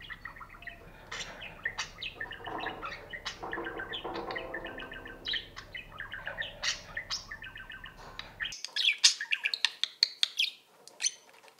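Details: Caged budgerigar's courtship sound, courting its mate or a toy while bobbing its head: a fast, chattering warble of high chirps and clicks ending in louder sharp squeaks; low background hum fades midway.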